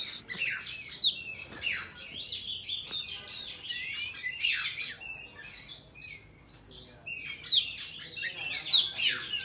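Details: A young Oriental magpie-robin sings in a wild-type voice, a rich, varied song of sweet whistles, slurred notes and scratchy chatter in quick, irregular phrases, with no other clear sounds.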